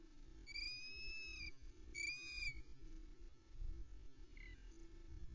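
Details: Female osprey at Loch Arkaig, 11 May 2020, voicing impatience before the male's fish delivery, recorded by nest cam: two ringing whistled calls a second apart, a faint short note later, amid steady low background rumble.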